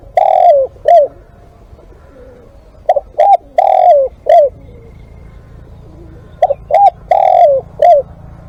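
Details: Spotted dove used as a live decoy bird, giving three repeated four-note cooing phrases: two short clipped coos, a long slurred coo falling at the end, then a short downslurred coo. Quiet gaps separate the phrases, with a faint low hum beneath.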